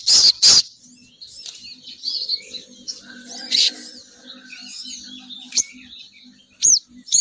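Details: Female sogon bird call used as a lure to draw males down, with loud high chirp bursts at the start, then scattered thin twittering notes over a faint low hum and sharp clicks.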